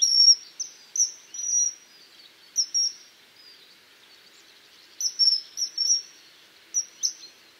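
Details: Piercing high whistles of a common kingfisher, short notes given singly and in clusters of two or three, with a pause in the middle and faint twittering behind.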